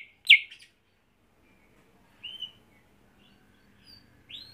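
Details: A home-kept greater green leafbird gives a sharp, loud high chirp, then brief clear whistled notes about every two seconds, with quiet room background between.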